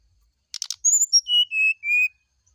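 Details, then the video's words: Brown-chested jungle flycatcher singing in the morning: a few short buzzy notes, then a sequence of clear whistles stepping downward in pitch, each held briefly, ending on a lower sustained whistle. "TERAPI SRDC DI PAGI HARI ,PANCINGAB SRDC NYULING DI PAGI HARI"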